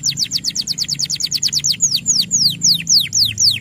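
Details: Male canary singing to coach young canaries: quick downward-sliding whistles repeated about six per second, then slower, longer falling notes, over a low background hum.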